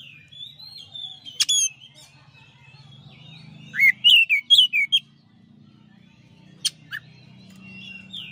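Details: Master song of a champion white-rumped shama: a long whistle, then a burst of rich varied whistled notes and chatter, with a low hum and faint background birds.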